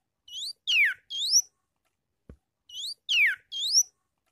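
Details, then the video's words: Sooty-headed bulbul song played to lure wild bulbuls: two identical bright phrases, each three quick whistled notes with a sharp downward sweep in the middle, separated by a pause of about two seconds with one soft click. "Suara Trucukan Gacor Garuda Panggil Trucukan Liar"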